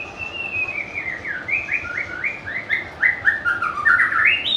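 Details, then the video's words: White-rumped shama song: a quick run of about a dozen slurred whistles, each sliding down, delivered roughly four per second and finishing with a bright rising flourish; faint low background hum. "เสียงนกกางเขนดงร้องเพราะๆ/ນົກແຕ້ມປູນດົງຮ້ອງມວນໆ/Âm thanh của chim ác là/Burung murai"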